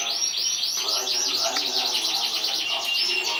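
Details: Champion competition canary from 2014 delivering a dense, continuous song of fast buzzy trills and rolling chirps, with rapid notes sweeping between mid and high pitch and a thin sustained high whistle running through.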